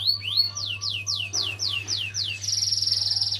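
Canary song: a run of about seven quick, clear whistled notes sliding downward, then a fast high trill, over a steady low hum.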